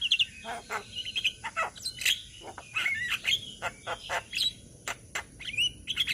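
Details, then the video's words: Several Javan mynas in Indonesia, flock chorus used as a tutor recording, giving busy overlapping chatter of short whistles, squeaks and harsh buzzy notes with little pause. "Masteran Jalak Kebo Bahan - Jalak Kebo Ombyokan - Kicauan Burung Jalak Kebo Indonesia"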